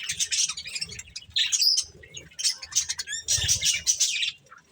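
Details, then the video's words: Budgerigars at their corn give short bursts of chirps and thin whistled notes, broken by brief pauses and soft low rustles. "Cute Budgies Enjoying Eating Corn | Love Birds Chirping Sounds"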